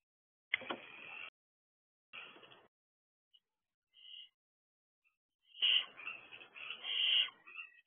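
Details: Barn owl owlets on the perch of a nest box at 8:11 pm; harsh, wide-band hissing screeches of about a second each, separated by silence, with a louder, longer run of rasping bursts at the end.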